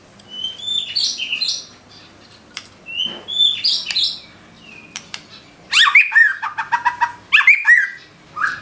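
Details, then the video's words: A white-rumped shama belts out filler-laden song: two bright phrases of high, fluttering notes, then a burst of sharp clicks and fast whistled trills near the end, with brief quiet gaps between. "Murai batu nembak isian gacor"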